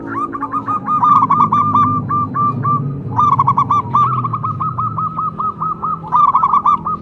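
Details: Local zebra dove in full song, its rapid stuttering coo phrases running almost without pause and seeming to overlap another similar voice, over a low rumbling background.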